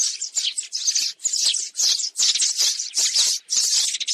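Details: Sparrows on a trapping lure: rapid, piercing chirp bursts, roughly two or three per second, harsh and clustered, with short silent breaks between groups.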